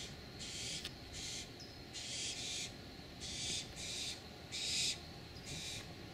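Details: Barn owls of one family calling before dawn on June 3, 2012, in San Rafael, California: a series of breathy, rasping hisses, each under a second, coming in quick succession against faint low rumble.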